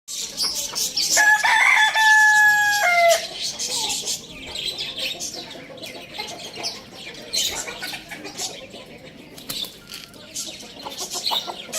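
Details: Rooster crowing loudly: a single harmonic-rich crow of about two seconds, held steady then sliding down at the end, over a busy background of high chirping small birds.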